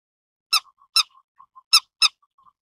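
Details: Grey-headed lapwing uttering four loud, grating notes in two closely spaced pairs, with soft faint ticks in between and a quiet, still background.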